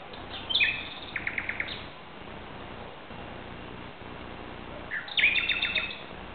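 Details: Common nightingale singing in the dark at 2:30 am, 17 May 2009, Barcelona, Spain; a sharp whistled opening runs into quick repeated pulses, then after a quiet spell a second rich, fast phrase, all over low background hiss.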